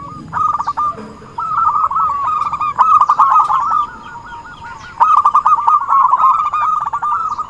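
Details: Zebra dove lure sound for trapping. Soft rapid coo series start after a quiet second, then run in long rippling phrases, with a fresh burst at five seconds.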